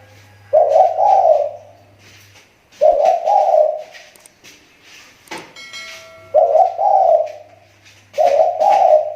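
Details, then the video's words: Captive spotted dove used as a lure bird in Riau Islands, Indonesia, repeating hoarse two-part coos roughly every two to three seconds, four phrases in all, with a sharp click and a brief tone between them and a low hum. "SUARA TEKUKUR PIKAT SI TAKUR,SUDAH MULAI MEMBAIK"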